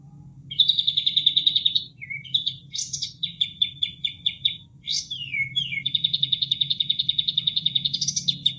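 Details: A bulbul sings tutoring song of rapid, high, chattering trills and repeated sharp notes, with short swooping whistles between phrases, over a low steady hum, with added water sounds.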